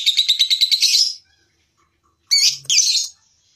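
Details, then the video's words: Lovebird used as a master voice for training contest birds: a short burst of fast, high chattering notes, a pause, then two sharp rising chirps running into a brief buzzy trill. "Masteran loveBird Juara"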